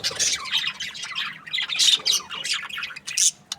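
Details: Chirping budgies in breeding season: quick sequences of sharp, squeaky chirps and harsh squawks, several birds overlapping in bouncy bursts, ending with a short pause and a single click-like note.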